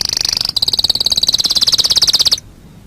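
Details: Canary song recorded as a master track for training birds: a steady, very fast high trill of even pulses, about fourteen per second, held for over two seconds with a brief break near the start, then stopping abruptly.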